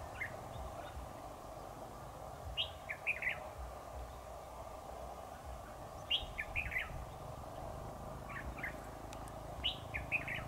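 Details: Red-whiskered bulbul at a trap, 7 October 2019: short chirpy phrases of three or four quick notes, repeated roughly every three to four seconds, with a low continuous background rumble.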